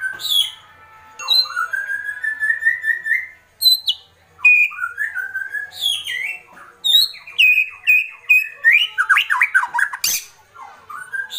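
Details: Agitated white-rumped shama in kretekan: long rising whistled phrase, then varied fast chips, slurs and stuttering notes in a dense, continuous outpouring.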